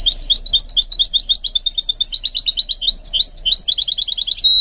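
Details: Goldfinch mule trained to sing delivers a long, steady stream of rapid high chirps and twitters, closing on a pure sustained whistle.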